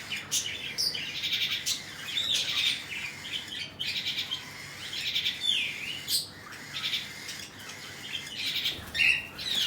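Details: Cockatiel parents feeding their chicks, with rasping, scratchy high calls in uneven bursts throughout, broken by brief pauses, sharp clicks and a few thin, sliding whistled notes.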